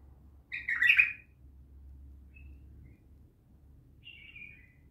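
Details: Bulbul giving a short burst of rich, chattering notes near the second, then a thin, slurred phrase toward the end, with low steady hum in the background.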